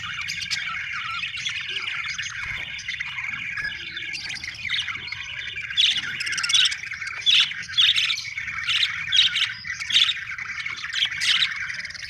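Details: Chirping budgerigars in a lively group, with continuous scratchy warbling and, in the second half, louder clipped squawks repeated roughly every half second, over a faint low hum.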